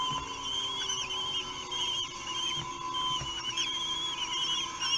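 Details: Three-week-old common kestrel chicks at Théding being fed on 8 June 2021, giving overlapping, wavering high whistled squeals nearly nonstop, with a steady low electrical hum underneath.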